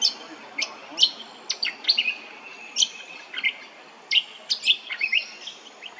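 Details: At Hervey Bay, Queensland, a Brown honeyeater gives a rapid run of sharp, high chips and short downslurred whistles, some notes overlapping as if from more than one bird.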